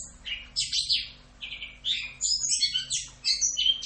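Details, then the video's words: Orange-headed thrush singing a 'Rock'n Roll' tutor song: dense bursts of high buzzy notes and quick whistles, with a few mid-pitched phrases and short pauses, over a faint low hum. "MASTERAN ANIS KEMBANG FULL Rock'n Roll"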